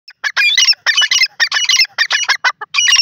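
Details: Francolin giving a clear, high call: loud, harsh, ringing notes delivered in rapid, steady clusters with barely a pause, repeated throughout.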